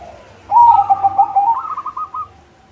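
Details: Zebra dove of the white variety singing to lure others: one loud burbling phrase of rapid cooing notes lasting about a second and a half, finishing in a higher, softer stuttered trill.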